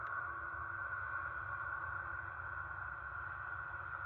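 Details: A quiet, steady electronic hum with a faint low rumble continues unchanged throughout, with no animal sounds.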